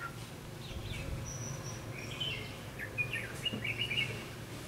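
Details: Red-whiskered bulbul used in trapping with a decoy bird, in Vietnam; short whistled and warbled phrases around the middle pitch band, some rising slides, over steady low rumbling background noise.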